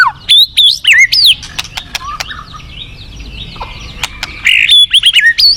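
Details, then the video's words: Forest white-rumped shama singing loud, looping whistled phrases at the start and again near the end, separated by a quieter stretch of softer notes and sharp clicks. "Terapi Murai Batu Hutan"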